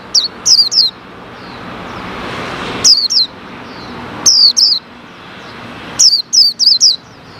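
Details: Wild white-eyes gather after the cover is lifted from a caged male that had been parted from the female. Sharp, high, descending chirps come in clusters of two or three, roughly every one and a half seconds, clear above a faint hiss.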